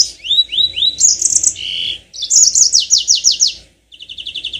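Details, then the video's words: Yellow-fronted canary song used as a lure to prompt birds to sing in long rolling trills. Quick rising whistled slurs repeat four times, then buzzy warbled phrases, a fast run of repeated sweeping notes, a brief pause, and rapid chipping trills. "Pancingan tercepat burung mozambik biar gacor ngerol panjang"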